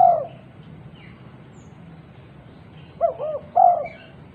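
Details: Female spotted dove calling other doves: the tail of one coo at the start, a quiet pause, then a full low phrase of two short hoots and a longer, louder coo, with faint chirps from other birds.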